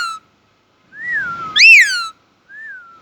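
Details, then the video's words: Indian ringneck parakeet kept as a pet, described as talking in an Urdu/Hindi voice. Here it gives clear whistled arching notes, one rising then falling sharply, with short gaps of silence in a small room. "talking parrot🦜 | Indian ring Nike Mitthu | cute parrot sound | voice urdu/hindi"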